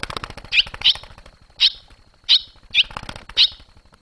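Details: Young barn swallows flying out of the nest on 21 July 2023. Six crisp high chirps in four seconds at uneven spacing, over a constant low droning background.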